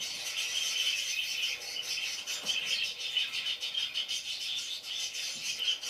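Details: Chattering parakeets keep up a continuous rasping, high-pitched twitter of quick repeated notes, steady in loudness for the whole stretch.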